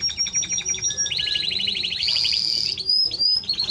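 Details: Timbrado Español canary: a slow pulsed trill speeding into fast rolling repeated notes, then a buzzy high passage and a clear sustained whistle.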